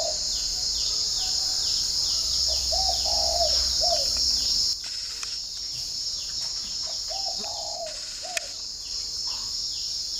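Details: Morning cooing of a spotted dove at a dove garden in Ba Vì, Hanoi, northern Vietnam: repeated low three-note phrases with a longer middle syllable, set against a constant shrill insect chorus and scattered small-bird chirps.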